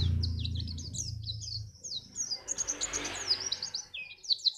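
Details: White-eye singing to prompt other birds to sing for contests: quick, high, twittering chirps in an unbroken flow over a low rumbling background noise.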